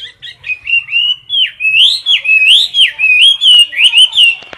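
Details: Close-up caged Chinese hwamei in competition singing: an unbroken series of loud, liquid whistled notes, each swooping down and back up, pulsing about three times per second with a faint click near the end.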